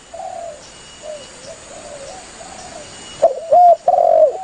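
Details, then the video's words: A spotted dove calls to its companions. Soft, muffled coos drift for three seconds, then a loud burst of two short coos and a long downslurred coo ends the passage. "Suara burung tekukur Gacor memangil temannya"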